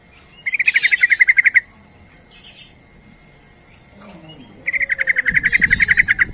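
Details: Sooty-headed bulbul call used as a lure to make other bulbuls answer: rapid chattering runs of about a dozen bright, even notes packed into roughly a second. Two such bursts are heard, separated by a pause with a short softer phrase and faint background rumble.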